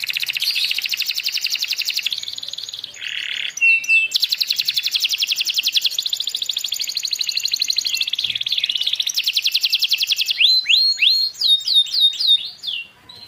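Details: Juvenile canary now singing after being silent: a long, dense rattling trill runs for about ten seconds, broken by a brief buzzy note, then closes with quick rising and falling whistled sweeps.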